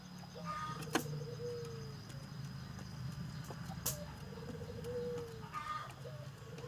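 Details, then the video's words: Puter dove cooing: a short rising note followed by a long smooth whistled coo that falls away, repeated about every three and a half seconds, with low rumbling background noise and occasional sharp knocks. "Suara Burung Puter Gacorrr"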